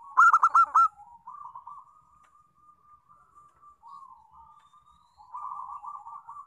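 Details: A local zebra dove sings as a lure to set other doves singing. One loud burst of rapid staccato notes opens, then a long stretch of soft, wavering trills that strengthen toward the end.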